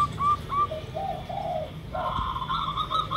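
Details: Perkutut lokal, the zebra dove, mixed with derkuku cooing as a lure: a few high clipped notes, then longer soft low coos, followed by a fast rolling string of higher notes over faint background noise.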